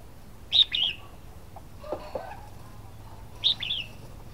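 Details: Red-whiskered bulbul sings two brief, bright phrases of quick, slurred high notes about three seconds apart, with faint low knocks and murmurs between them.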